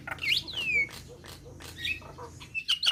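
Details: Nias hill myna singing in short bursts: sharp whistled slurs, a long falling whistle, and scratchy clicks between them over a faint low hum. Its song is said to set other starlings singing.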